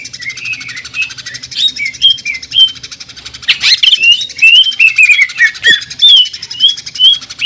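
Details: Jamtrok tembakan song of a greater green leafbird, with sewing-machine-like sound: a dense rapid buzz throughout, overlaid by rising and falling whistled notes that grow louder midway, with a brief harsh burst near the middle.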